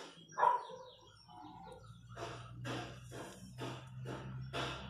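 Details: Wild chachalacas in the countryside, a rough chorus of harsh broadband bursts in a regular beat over a steady low hum, starting faint and growing louder toward the end.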